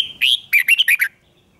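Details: Red-whiskered bulbul singing a competitive duel song for voice training: one short, loud phrase of about six quick, bright chirping notes, sliding up and down, lasting under a second, then quiet.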